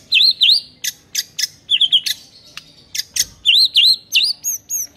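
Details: Master song of a white-rumped shama for mute birds to copy: repeated looping whistled chirps, sharp clicks and a fast trilled note, the looping chirps returning in quick sequence.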